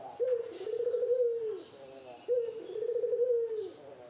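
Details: Barbary dove in courtship towards a female: two rolling coos, each a quick opening note sliding into a long tremulous purr that droops at the end, with faint background noise.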